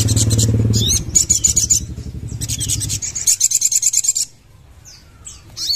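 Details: Crimson sunbird singing busy high-pitched trills and rapid twittering notes in repeated bursts, with a loud low mechanical hum early on that fades, leaving a few thin squeaky notes.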